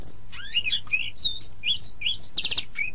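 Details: Kacer, the oriental magpie-robin, in a training song for caged birds: quick run of looping whistles and slurred notes ending in a harsh buzzy burst, then a short falling whistle, faint low hum beneath.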